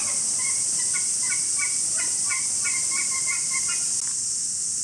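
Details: Greylag goose at Osaki Park Children's Zoo, Saitama, Japan, 21 July 2018: a quick run of short, nasal honks and gabbling notes, about three per second, over a steady high hiss of insects.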